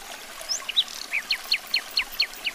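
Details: Nightingale song phrase: a couple of high slurred whistles, then a steady row of about seven loud, identical downward-sliding notes, each roughly a fifth of a second apart, against a quiet hiss.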